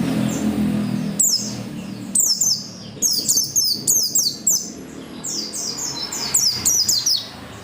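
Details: Oriental white-eye in full, persistent song meant to get other white-eyes singing: after a second of low rumble, bursts of high, thin, descending twittered notes come in rapid clusters of about four to six, repeating almost continuously.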